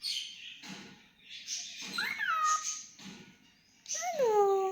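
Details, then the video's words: Pet cockatiel singing: a few clear whistled notes slide downward, with a rough, voice-like sound between them and quiet gaps. "Adorable Cockatiel Milo's Cute Singing Moments"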